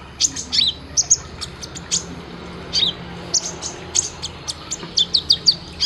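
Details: Sunbird (kolibri ninja) training recording for caged birds: spaced sharp high chips and short slurred notes, growing quicker toward the end.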